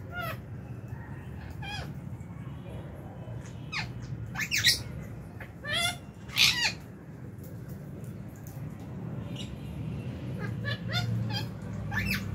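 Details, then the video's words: Lovebirds in an aviary at meal time in January 2023, a mixed flock of colour varieties kept with a budgie; scattered harsh, harmonic chirps, with louder squawks bunched near the middle, over a steady low hum. "Lovebird Meal Time- Lovebird Chirping Sounds"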